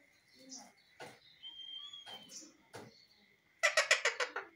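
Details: Indian ringneck parrot talking: a string of short, speech-like syllables, then a clear sustained whistle, ending in a run of loud, harsh, rapidly repeated bursts. Faint steady hum underneath.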